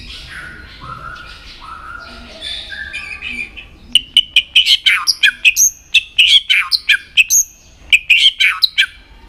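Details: White-rumped shama trained to sing for contests: soft warbled notes at first, then a burst of sharp, high, clipped chips and whistles repeated quickly in tight clusters.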